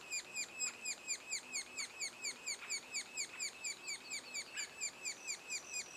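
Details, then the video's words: Two days before the first fledging, a sapsucker nest gives a persistent chorus of arched, grating notes repeated about twice a second, bright and high, with a faint low tone underneath at times. "Sapsucker nest"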